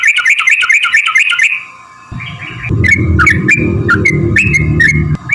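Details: Yellow-vented bulbul lure song: a quick run of gurgling notes, a short lull, then spaced liquid phrases over a loud low-frequency rumble.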